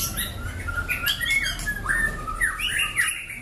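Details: White-rumped shama, a long-tailed, black-legged Bahorok-strain bird kept as a contest fighter and a keen singer, sings a rich, fast run of clear whistles sliding up and down, mixed with harsher chattering notes, against a low indoor hum.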